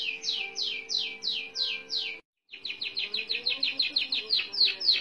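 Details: Canary of the merlok type singing a long rolling song: rapid series of downward-swept whistled notes, about three per second, a brief break, then faster repeated sweeps; steady low hum beneath.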